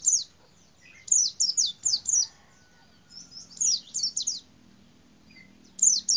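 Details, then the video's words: White-eye, or pleci, in a cassava tree: clusters of high, quick descending chirps repeated in bursts separated by quieter pauses, with a faint low rustle underneath. "BURUNG PLECI DI POHON UBI"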